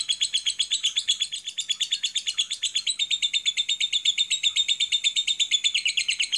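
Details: A lovebird, recorded as a master or training song, sings a long, unbroken run of high, rapid chirps, roughly eight or nine to the second, shrill and chattering throughout.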